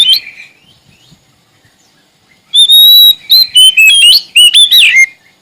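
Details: Oriental magpie-robin of the Sumatran kind singing energetically to seek a rival: a short opening note, a quiet pause, then a rapid run of loud whistles, a long even tone and quick slurred notes falling at the end.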